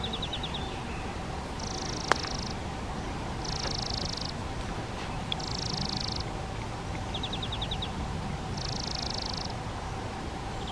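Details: Spotted flycatcher (Muscicapa striata) at a half-open nest box on a garden shed wall, parents feeding two chicks: short runs of quick, high ticking notes and several high, hissing buzzes, each nearly a second long, over a steady low rumble.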